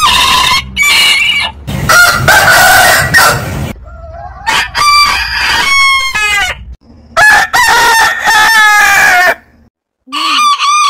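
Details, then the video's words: Roosters from a compilation of heritage chicken breeds crowing in several long bursts, harmonic-rich calls that rise then hold and fall at the end, separated by abrupt cuts, one brief silence near the close. "Biggest Rooster Sound Alarm - Long Roosters Crowning Suara Ayam Berkokok Panjang"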